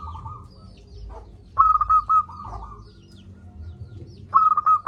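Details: Local zebra dove singing loudly, used as a lure to rouse lazy doves into calling: a soft trilling coo phrase, then two loud staccato bursts of clipped rising notes around two seconds apart, with faint low background rumble.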